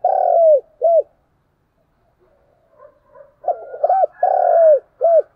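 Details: Spotted dove giving a lure call to stimulate other doves: loud, low, hollow coos, a drawn-out note then a short one, repeated after a pause of about two seconds, with soft fainter notes between.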